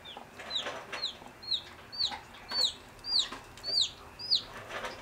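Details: Chicks peeping from inside their eggs before hatching: clear, high, downward-slurred cheeps repeated roughly every half second, steady and insistent, over a soft background hiss.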